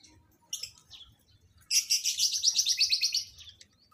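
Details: Lovebirds paired for mating: a brief shrill call, then a long, loud, rapidly pulsed screeching chatter that fades out near the end, over a low hum.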